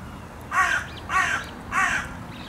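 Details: Carrion crows calling noisily while being fed cashew and Brazil nuts in a park: three harsh, loud caws spaced about 0.6 seconds apart, over a soft background murmur.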